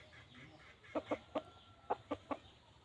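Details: Red junglefowl calling in the wild to lure hens: seven short, sharp clucking notes in two bursts, three then four, a few tenths of a second apart, over low steady background noise.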